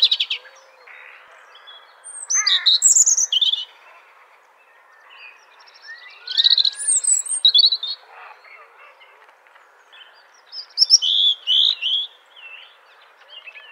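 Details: Robin song linked to mating: phrases of high, sweet twittering notes, short trills and thin whistles, delivered in three separate bursts with pauses between, over quiet background.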